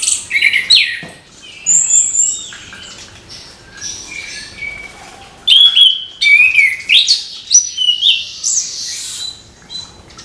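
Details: Orange-headed thrush singing in the morning, a lively babbling run of high whistles, trills and chattering notes in bursts, with a quiet pause mid-way and denser phrases after.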